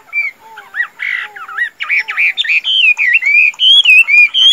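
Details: Chinese hwamei kept in a cage, a tame bird bred for singing and fighting, delivers varied whistled notes, some rising and falling in loops, mixed with harsh buzzy squawks and quick slurred phrases in a rich, fast stream.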